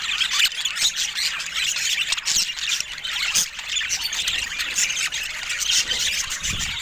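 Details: A flock of pet budgerigars calling together, an unbroken wash of shrill chirps, squawks and twittering from many overlapping birds.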